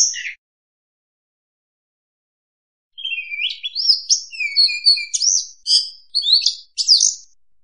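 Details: Oriental magpie-robin (kacer) lure song for trapping: one brief whistle, nearly three seconds of silence, then a quick sequence of clear, rising and falling whistled notes with some scratchy accents.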